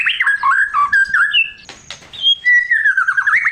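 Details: White-rumped shama singing a varied, rich song used to trigger other shamas to sing. Rapid slurred whistles shift in pitch, broken by a harsh raspy burst, then a long clear whistle with rising ends.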